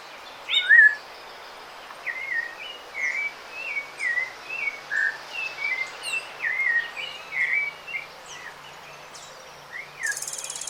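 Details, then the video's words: Rufous-bellied thrush (sabiá-laranjeira) singing in nature in Brazil: a long run of short, clear whistled phrases delivered one after another, over a steady hiss of outdoor background noise with faint other bird notes. "0:07 - Sabiá Laranjeira"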